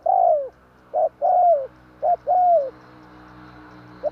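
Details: Lure call of a spotted dove for bird trapping: short clipped coos followed by longer falling coos, several in quick succession, with a low steady hum underneath.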